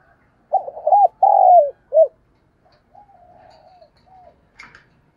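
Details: Spotted dove calling to stimulate other doves, giving one burst of mellow coos: a stuttering note, a longer downslurred coo and a short final hoot. Faint, softer coos and a brief click follow.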